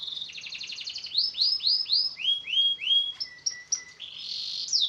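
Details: Canary song used to coax silent canaries into singing: a fast trill, then rising arched whistled notes repeated about four per second, steady held tones and bright high phrases.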